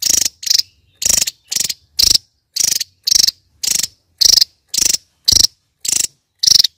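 A kingfisher gives harsh, rasping notes, each a quarter-second burst, repeated about twice a second in a steady series. No other sounds intrude.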